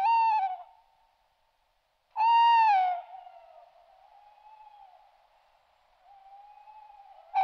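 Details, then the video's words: Tawny owl hooting at night near houses: clear, hollow hoots that sag slightly in pitch, each under a second, spaced about two seconds apart over a faint steady whistling tone. "Il verso dell'allocco. Tawny owl"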